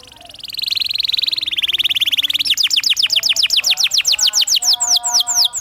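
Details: Canary master song for teaching juveniles: a buzzy phrase swells from quiet into a fast rolling trill of rising notes, which slows into distinct downslurred whistles, with a faint low hum underneath.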